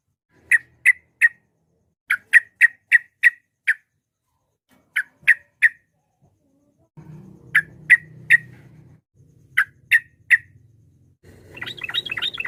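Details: Yellow-vented bulbul in a rival-provoking recording, giving groups of two to five rough, clipped chirps in a steady series. A low rumbling hum enters midway, and a quick chattering phrase closes the sequence.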